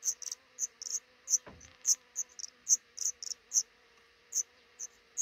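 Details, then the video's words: Nest of a black redstart couple under the roof above a busy front door, eggs hatching and five young raised; steady series of brief, piercing high squeaks, roughly one per second, with one low knock. "Black Redstart nest hatching over our frontdoor"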